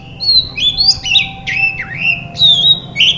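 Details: Singing Oriental magpie-robin, meant to get silent birds to respond: a few long, pure whistled slurs that dip and rise, delivered slowly and loudly.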